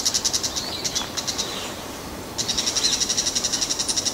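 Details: Bull-headed shrike giving high, harsh chattering notes, fast and repeated about eight times a second, in two bursts with a brief pause between.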